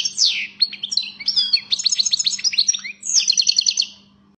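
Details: European goldfinch (Carduelis carduelis), said to be fired up, pouring out a continuous jangling twitter of quick chirps, slurred whistles and a closing buzzy trill, with a faint low steady hum in the background.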